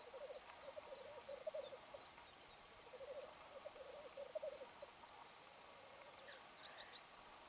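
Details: Black grouse in Lessinia, distant low bubbling phrases rolling for about a second at a time, repeated several times over steady background hiss, with faint high chirps above.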